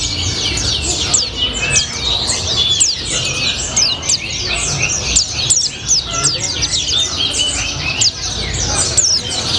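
A white-eye sings nonstop in a thin, high, rapid chatter of twittering notes and quick slurred whistles, with a faint low rumble underneath.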